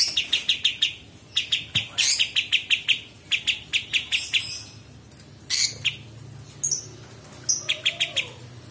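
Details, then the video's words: Sooty-headed Bulbul song serving as master audio for murai batu, cucak ijo and kacer. Staccato chirps come in rapid groups, followed by a quieter stretch of scattered notes and a faint low hum. "KAPAS TEMBAK Masteran Murai Batu dan Cucak Ijo serta Kacer"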